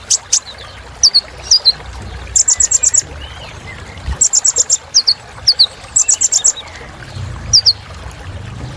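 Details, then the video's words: Song of the kolibri ninja, a sunbird: bursts of high, thin chirps and quick sharp trills, some notes sliding down, given in clusters with short gaps over quiet background noise. "Suara Kolibri Ninja Isian Mewah Bikin Burung Semangat"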